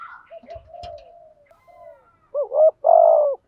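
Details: Decoy spotted dove cooing to draw wild rivals in to fight. Faint clicks and soft low coos come first, then a loud phrase of two quick coos and a long vibrating coo that drops at its close.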